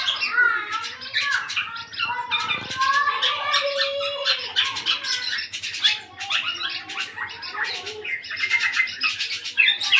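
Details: Black-naped oriole aged eight months, now beginning to sing in full: ten seconds of dense, chattering song with buzzy squawks, clicks and a few drawn-out whistled slurs, almost without a break.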